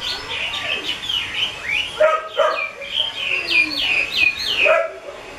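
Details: Varied song of a 'mơ' Chinese hwamei from a bird keeper: a string of loud whistled notes that swoop steeply up and down, some clear and pure, others slurred, delivered in quick, uneven bursts.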